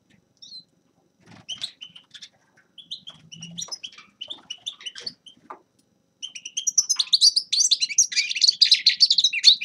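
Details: Grey-crowned goldfinch: sparse, thin single chips at first, then after about six seconds a sudden outpouring of rich, rapid twittered song.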